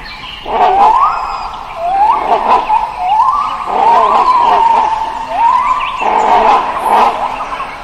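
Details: Caged great hornbill giving loud, tonal wailing calls, each sliding upward then levelling off, about five in a row roughly every one and a half seconds, rich in overtones, with little background noise.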